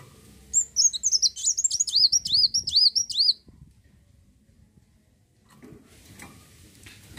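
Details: Olive-backed sunbird singing to lure other birds into song: a rapid, high twittering run of looping, bouncing notes lasting about three seconds, then near silence with faint background noise.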